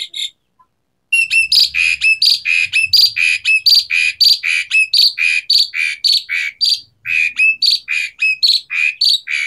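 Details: Asian pied starling (jalak suren) in continuous 'gacor' song: a long run of loud, harsh squawky notes repeated about twice per second with little pause between them, from a bird singing energetically.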